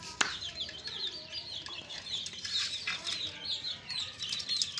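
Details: Group of fresh young chicks peeping continuously: many overlapping thin, high chirps, some sliding down in pitch, forming a busy chorus over a constant low rustle.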